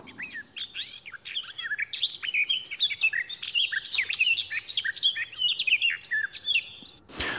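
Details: Garden Warbler song, heard beside the blackcap for comparison: a relaxed, even-paced stream of rich warbling and chattering notes lasting about seven seconds, ending in a click.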